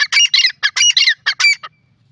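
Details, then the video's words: Grey francolin, known locally as teetar, giving loud, harsh, grating notes in quick bursts. They run for about one and a half seconds, then stop abruptly. "teetar ka awaz,a lesson on gray francolin teetar bird awaz"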